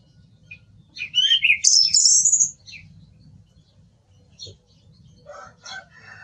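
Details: Song thrush song: a loud, sustained phrase of warbling notes that climbs into thin, high whistles for over a second, followed by scattered softer, lower chirps and a background hum.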